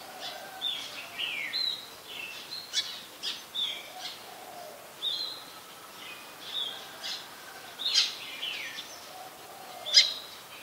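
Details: Brown-throated sunbird recorded in Ubon Ratchathani, Thailand, 2 January 2021, with a Nikon P1000: an irregular run of short, piercing high chips and clicks, about one every two seconds, mixed with soft, lower downslurred twitters.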